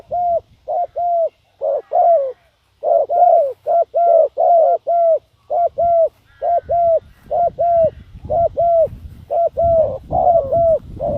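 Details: Decoy spotted dove cooing to attract wild doves: a long, rhythmic chain of hollow, slightly downslurred coos in paired and triple groups, about twenty notes, with low rumbling and handling noise growing toward the end.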